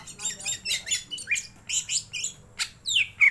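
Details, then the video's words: Greater green leafbird singing in a rapid run of sharp chirps and slurred whistles, about three notes a second, ending in higher upward-sweeping whistles; a low hum sits underneath. "Mendongkrak emosi burung cucak ijo."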